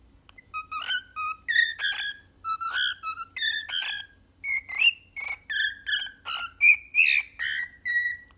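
A cockatiel whistles a learned human tune in clear, bright notes with rising and falling phrases.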